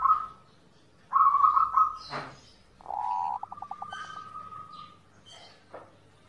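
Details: Zebra dove song for training birds to sing: loud steady whistled tones, a sharp broadband click, then a cooing phrase that dissolves into a run of quick evenly spaced pulses.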